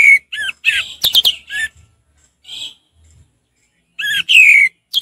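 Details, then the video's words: Relaxed 'ngeplong' song of an orange-headed thrush: looping whistled notes and sharp clicks, a quiet gap with soft faint notes, then more strong falling whistles. "Anis merah ngeplong santai"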